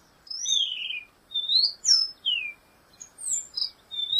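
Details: Black-goggled tanager singing a series of sweet slurred whistles, some rising, some falling, delivered in quick phrases with brief pauses between them.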